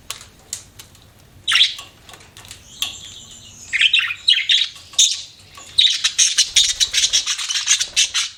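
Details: Budgerigar chirping, a pet bird giving scattered high chirps that build into fast, continuous scratchy warbling and rapid repeated notes toward the end.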